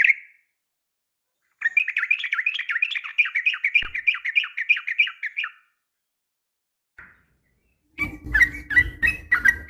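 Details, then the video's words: Female sooty-headed bulbul calling males in the morning: a single note, then a long chattering rattle of about four seconds with wavering notes, ending with a burst of chirps over low rumbling noise. "suara panggilan pagi bikin emosi , semua burung trucuk terpancing ikut bunyi gacor dan ropel panjang"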